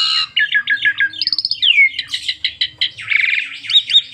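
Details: Asian pied starling singing 'nembak' style with full 'isian', meant to draw song from other starlings: a quick run of repeated chirps, a descending whistle, then harsh grating chatter and buzzy notes.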